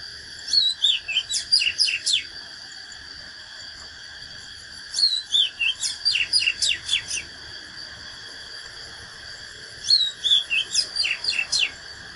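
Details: Oriental magpie-robin giving fighting song for training, three phrases of fast whistled notes and sharp downward sweeps spaced several seconds apart, each lasting about two seconds, over steady hiss.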